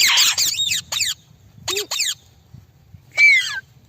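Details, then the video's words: Talking pet rose-ringed (Indian ringneck) parakeet gives harsh, raspy squawks and quick falling chirps in four short bursts, ending on a clear whistled note. "Indian parrot talking and Mummy Kissing"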